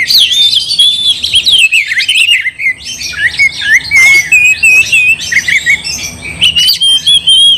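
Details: Gacor oriental magpie-robin song used to enrage a rival magpie-robin: a nonstop stream of bright whistles and wavering trills, with harsh chattering notes mixed into the flowing phrases.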